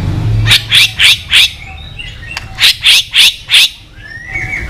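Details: White-rumped shama, sung to provoke birds into song duels: two sets of four harsh, buzzy notes evenly spaced, separated by a short pause, with a faint rising whistle at the end.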